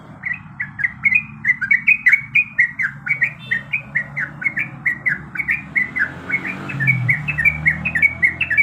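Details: Yellow-vented bulbul female in breeding condition calling to a male, giving a fast, continuous chatter of liquid bubbling notes for about nine seconds, with a low rumbling hum in the background.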